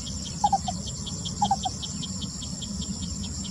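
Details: Lesser Coucal singing on 28 May 2020: two short bursts of three hollow, mellow notes about a second apart, over a steady chorus of trilling crickets and a low background rumble.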